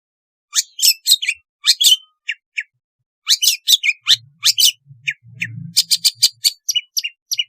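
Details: Long-tailed shrike song, played to coax reluctant caged shrikes into singing: bursts of sharp, high chirps and short whistled notes in quick clusters, pausing briefly midway, with a faint low hum underneath.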